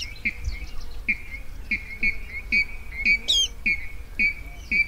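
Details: Sharp, clipped rail notes repeated roughly twice a second in a steady series, one higher squealing note midway, over a continuous low rumbling background; a 2020 recording played as a lure when netting at night.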